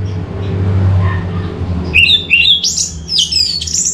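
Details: Orange-headed thrush (anis merah) lure song: after low hum, a sudden series of rising whistled slurs climbing higher in pitch, quickly delivered.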